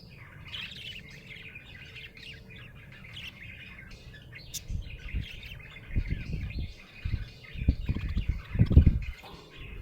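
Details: Happy budgie chattering with rapid scratchy chirps and warbles, joined in the second half by bursts of low knocking and rustling noise.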